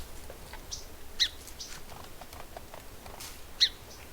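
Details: Song Sparrow call: two short, hoarse, rising 'chimp' notes about two and a half seconds apart, over a faint background hiss.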